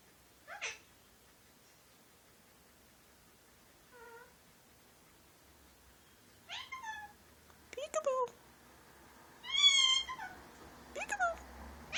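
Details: Pet male Indian ringneck parakeet mimicking speech, e.g. peek-a-boo, give me a kiss, thank you. Scattered short utterances over twelve seconds, a soft pure note around four seconds, then louder buzzy, harmonic syllables toward the end.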